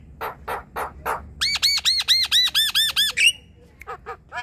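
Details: Javan myna kept in a group: four coarse rasping notes, then a fast burst of about nine arched, ringing harmonic notes, a rising squeal, and a few faint buzzy chips after.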